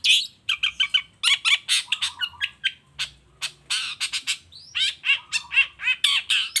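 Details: Energetic long-tailed shrike song used to provoke reluctant shrikes into calling back: dense run of harsh squawking notes, quick chips and short flat whistles, delivered almost without a break.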